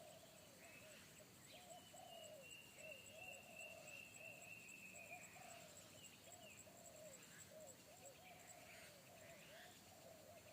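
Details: Forest spotted dove with a big bass 'kuk satu' voice that a young decoy dove avoided; steady run of low rounded coos, while another bird gives a long thin falling whistle midway.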